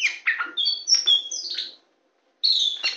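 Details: Tame white-rumped shama singing while perched on a hand: varied whistled phrases with sweet slurred notes and harsh buzzy elements, a brief pause, then more rich warbling.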